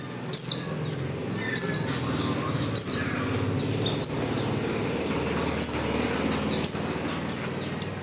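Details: Calling female white-eye in breeding condition, summoning a male: loud, piercing descending chirps every one to one and a half seconds, some quicker doubled notes near the end, over a steady low background hum.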